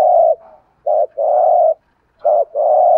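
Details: Low, steady, hoarse cooing from a spotted dove (cu gáy), in the gáy gọi calling style: a long droning coo, then a short note and another sustained coo, repeated back to back.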